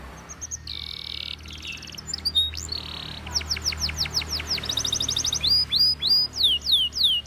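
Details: Belgian canary heard in a training song: buzzy sustained tones and a fine roll at first, then loud descending notes, a quick rolling trill and repeated downward slurs growing louder toward the end.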